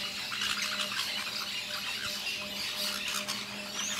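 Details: Lorikeets eating fruit in La Fortuna give shrill, harsh screeches and squeaky chatter in overlapping bursts, with a steady low mechanical hum underneath.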